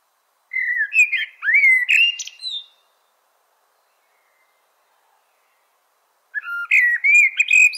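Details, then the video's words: Blackbird song: two phrases of varied, fluty whistled notes with rising and falling slurs, ending in higher twittery flourishes, separated by about three and a half seconds of silence. "CANTO DO MELRO PRETO-BLACKBIRD CORNER"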